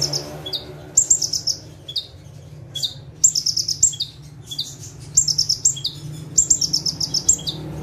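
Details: Bar-winged prinia, known locally as ciblek or prenjak tebu, sitting still on one perch and singing lively 'tembakan' bursts: quick strings of very high, sharp ticking notes after brief downslurred whistles, phrases spaced roughly a second apart, steady low hum behind.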